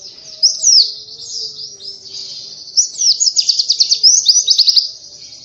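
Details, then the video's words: Oriental white-eye in lively nonstop song, used as a lure for other songbirds: high thin twittering phrases, then a quick run of sharp repeated chirps near the end. "Burung Pleci cuitannya gacorr cocok untuk pancingan!!"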